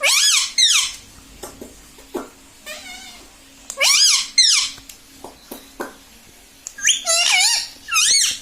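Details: Pet talking parrot in a small room uttering repeated high, wavering squeaky phrases in short bursts separated by pauses and clicks.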